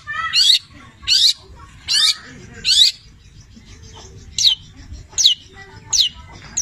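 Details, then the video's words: Cendet (long-tailed shrike) in nonstop imitating song with labet and canary elements: four harsh rising squeals, then quieter short downslurred whistles spaced under a second apart. "Masteran Cendet Petir gacor, Full isian mewah Labet dan kenari"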